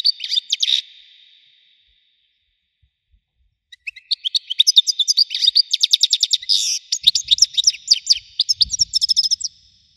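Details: European goldfinch, Widani type, praised for a thunderous voice. A short bright twitter opens, then silence, then a long fast run of liquid tinkling, buzzy and chirping notes, with a faint low thump near the end.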